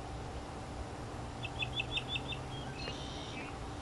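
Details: Among Florida native plants in 2005, a northern mockingbird sings between bouts of preening, giving a rapid string of five or six sharp, high, clipped notes, followed by a fainter buzzy phrase, with steady low hum underneath.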